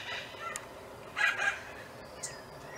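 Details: Nesting spoonbills: a single rough, nasal two-part grunt rises from a low hiss, with a couple of faint clicks and ticks before and after.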